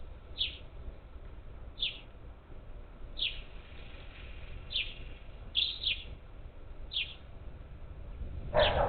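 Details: Several parakeets visiting a backyard feeder near Houston, Texas, on the Gulf Coast, 27 July 2021, give rasping screeches spaced one to two seconds apart over steady low background noise, ending in a brief thump.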